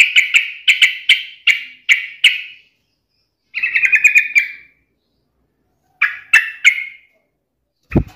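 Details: Taunting lure song of a yellow-vented bulbul meant to make a rival answer angrily: a string of clipped, repeated chirps, a short chattering burst, two more notes, and a dull thump at the end.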